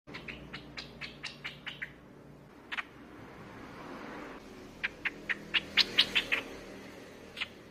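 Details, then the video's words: Lure call of a streak-eared bulbul. Evenly spaced sharp chips at first, a lone loud note, then a brighter burst of rapid high chips, over a soft background. "เสียงนกปรอดสวน เสียงต่อปรอดสวน"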